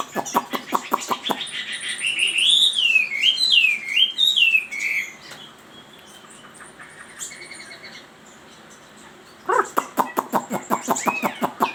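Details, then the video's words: Chinese hwamei song opening and closing with fast rattling dry notes around a long middle of loud wavering whistled phrases that swoop up and down repeatedly, then a quieter pause. "Suara Burung Wambi ( Hwamei )"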